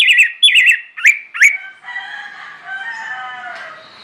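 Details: Singing to draw other birds into song, an orange-headed thrush gives warbled, looping whistles and two upward-flicking notes, followed by a softer murmur of other birds in the background.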